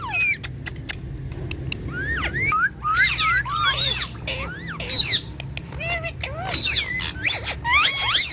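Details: Pair of pet talking parrots chattering continuously with twisting whistles, sharp clicks and buzzy squawks all mixed together.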